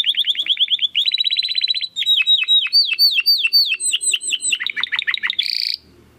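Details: Domestic canary song meant as a model for contest birds: quick chopping trills, then a long series of downward-sliding whistled notes, several per second, ending in a buzzy burst.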